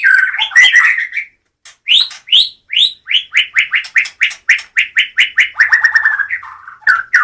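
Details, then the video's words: Song of a white-rumped shama from Medan: opening tangled whistles, then a steady series of about twenty clear, upslurred notes repeated several per second, ending in softer slurs. "kicau murai medan"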